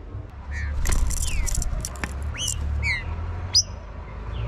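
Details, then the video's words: Green-winged saltator giving its warm-up song: a handful of clear whistled notes, each sliding steeply downward, scattered among loud low background rumble and sharp clicks. "O ESQUENTA PERFEITO DO TRINCA FERRO"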